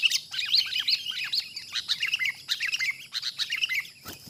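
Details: Wild sooty-headed bulbul being trapped: an excited, unbroken run of quick chirps and short upswept and downswept notes, several birds overlapping in a busy chattering chorus throughout.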